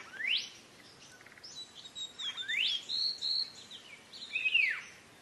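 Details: Greater green leafbird song, used as a training recording for other birds: loud, sweeping whistles that rise steeply then arc and fall, interspersed with softer twittering phrases, roughly one sweep every two seconds.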